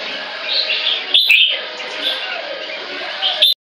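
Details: A captive white-rumped shama, tail nearly eight inches and growing, known for singing very loud, delivers a dense run of whistled and warbled notes with a couple of sharp clicks and a brief pause at the end.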